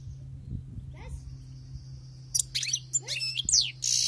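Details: Wild-caught European goldfinch: a thin sustained whistle and faint sliding notes, then a lively burst of twittering, quick upslurs and a rasping buzz at the end, with a low hum beneath.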